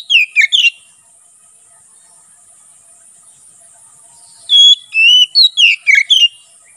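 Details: Oriental magpie-robin, locally kacer, singing open ngeplong style for tutoring and forest luring: a brief trio of sharp whistles, a long pause, then a fluent phrase of about six clear, downward-slurring whistles.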